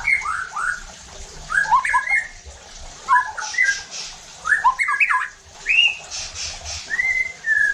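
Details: Lure recording of a white-rumped shama meant to excite rival shamas into harsh singing: loud, varied whistles mixed with squawky, slurred notes in uneven bursts, ending on a clear descending whistle.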